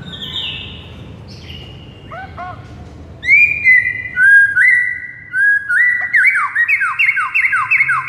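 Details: Shama song of the morning training type, played to stir a mute caged white-rumped shama: faint notes at first, then loud clear whistles turning into a fast run of rapidly repeated bright notes.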